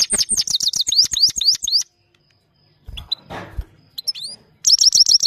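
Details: Rapid, tinkling twitter of a Himalayan goldfinch in rolling song: a dense string of high sweeping notes, a pause with a soft rustling noise, then the twittering resumes.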